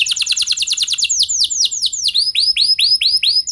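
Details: Canary song for prompting other canaries: a quick high trill gradually slows into broad, looping upswept notes repeated about twice per second.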